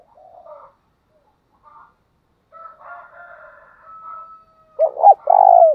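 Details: Spotted dove fight-style 'thổ' cooing meant to rouse lazy wild-caught doves: several soft distant coos first, then a loud close phrase of a quick double note and a long pulsing coo.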